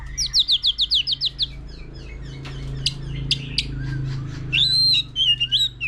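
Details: White-rumped shama, a mature forest-caught bird, singing varied phrases with a laughingthrush nearby: a fast string of eight high chipping notes, scattered sharp clicks, then a loud undulating whistled phrase, over a low background hum.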